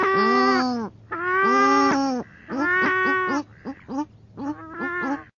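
Paradise shelduck giving two drawn-out, nasal honking calls, each about a second long, followed by a quicker run of shorter, choppy honks.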